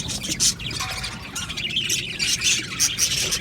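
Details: Aviary budgie colony chirping and warbling, a busy blend of shrill chirps and scratchy chatter with a few louder squawks.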